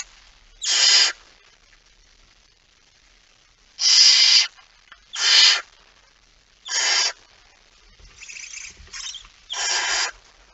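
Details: A barn owl, possibly a male, carries a mouse at 23:55 on 17 September 2019 in Friesland, Netherlands, giving five harsh, hissing half-second screeches spaced one to three seconds apart, with a softer rasp between the last two.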